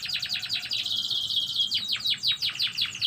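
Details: Short burst of canary song in the morning: a dense rolling trill with a sustained steady tone underneath, followed by several sharp down-swept chirps.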